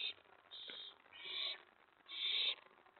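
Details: Owl at its nest before dawn, 4:46 AM on 15 May 2017, during a mouse delivery; three harsh, hissing screeches, each about half a second long and separated by short pauses, with faint rustling between them.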